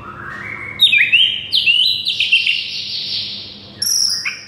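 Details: Shama song used as a master to make silent birds sing eagerly: a rising whistle, then a fast run of bright, high sliding notes, a long sustained high tone, and a final sharp burst, over a steady low hum.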